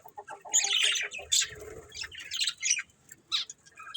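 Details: Budgerigars in a breeding pair produce short, uneven bursts of squawky chirps and clicks with gaps between, and a muffled low rustle partway through.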